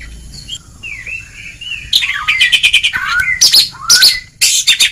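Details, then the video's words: Oriental magpie-robin training song in the ngeplong style for stimulating a lazy singer: quiet slurred whistles give way to loud, harsh chattering bursts interleaved with rising whistled notes. "Kacer Ngeplong!!! Masteran sangat ampuh untuk terapi mental kacer malas gacor"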